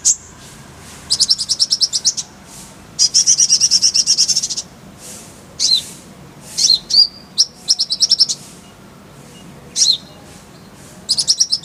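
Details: Clear-voiced Kolibri ninja sunbird song used to tutor songbirds: very high, rapid buzzy trills lasting about a second each, mixed with short twittered phrases and downslurred notes, separated by brief pauses.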